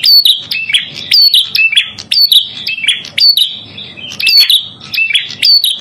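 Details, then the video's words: High-pitched, insistent red-headed prinia song for trapping lure use: quick chirp-whistle phrases repeated roughly every second without pause, a faint low hum below. "Masteran Burung Prenjak Kepala Merah"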